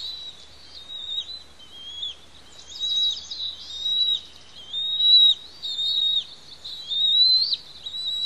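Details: Begging calls of two bald eaglets at the Pelican Harbor nest on Santa Cruz Island during a feeding by their parents; high piercing whistles, some sliding upward, come in irregular bursts roughly every two seconds, growing louder toward the end.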